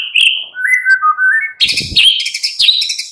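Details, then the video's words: Afternoon lure song of a white-rumped shama, played to make a captive bird reply and sing: a high whistle falling into a series of lower slurred whistles, then a dense rapid rattling, chattering stretch. "Pancingan MURAI BATU Sore PETANG Otomatis jadikan Murai NYAUT GACOR"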